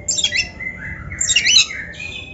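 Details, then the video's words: Oriental magpie-robin (kacer) singing in a one-hour practice recording for training other birds: rough, buzzy high phrases with scratchy sweeps, two loud bursts separated by a pause, faint low hum beneath. "Masteran Kacer Gacor Full Isian- 1 JAM LATIH MENTAL"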